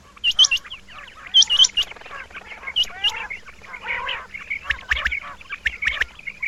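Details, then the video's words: Male Rain Quails calling, opening with clipped high double notes in short bursts, then giving way to a busy mix of buzzy chatter and scattered chirps from other birds. "Rain Quail (Coturnix coromandelica) - Males calling"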